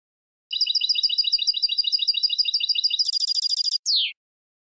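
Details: Goldfinch contest song for training competition birds: a long even series of quick double notes repeated about three times a second, switching to a fast buzzy rattle and ending with a single steeply falling whistle.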